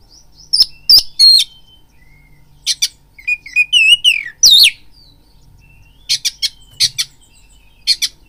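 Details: Oriental magpie-robin song used as a lure to provoke fighting and arousal: sparse whistled notes, a rising slurred phrase, and sharp harsh bursts separated by short pauses.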